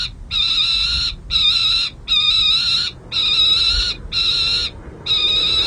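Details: Young peregrine falcons at the San Jose City Hall nest in late June 2024, playing and being fed; harsh drawn-out wailing screams, each about a second long, repeated six times with short gaps, over a steady hum.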